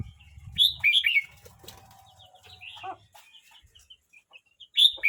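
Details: Red-whiskered bulbul aged 12 months 29 days sings a quick burst of liquid whistled notes, goes quiet apart from faint chirps and rustling, then starts another loud phrase near the end.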